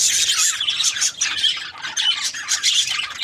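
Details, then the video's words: Several overlapping high chirps and scratchy squawks from budgies, coming in quick uneven bursts with short dips between them. "Budgies Parrot chirping sound | parakeet sounds"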